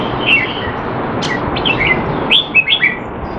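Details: Caged Red-whiskered bulbul in Singapore training on 25 December 2020, noted as out of form; a handful of short, clear, slurred whistles, the liveliest near the end, over a noisy hum.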